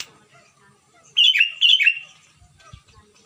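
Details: Loud Sooty-headed bulbul from Bandung, West Java, Indonesia, played to prompt quiet bulbuls into song: two rapid, liquid warbled phrases back to back, then faint low thumps.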